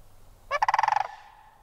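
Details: One short, rolling trumpet from a sandhill crane, a quick string of about a dozen guttural pulses fading into a faint tail.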